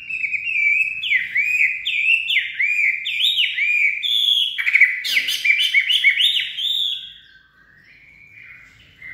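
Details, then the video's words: White-rumped shama in peak singing form, its voice described as steely: loud, rich whistled phrases that swoop up and down, delivered in quick bursts with ringing overtones, then fading to softer twitters near the end. "CB Trâu Rừng đạt đỉnh lửa (shama bird)"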